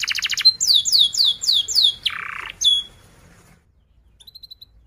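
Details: Canary song used to tutor young canaries: a quick pulsed trill, a run of downward-sweeping whistles, a brief buzzy rattle, then quiet with faint distant high pips.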